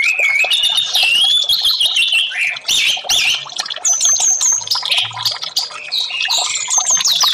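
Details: Orange-headed thrush in varied song, a track to get silent birds singing. Slurred whistles open, then a busy run of warbles and crisp repeated high notes, with a few descending whistles later.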